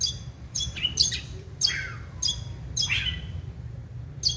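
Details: White-rumped shama kept in a cage, producing quick, sharp chirps and harsh buzzy notes in short bursts, roughly every half second.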